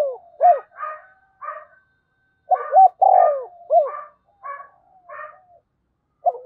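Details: Decoy spotted dove gives low rolling coo phrases while another bird's higher, rasping two-part calls sound repeatedly around them.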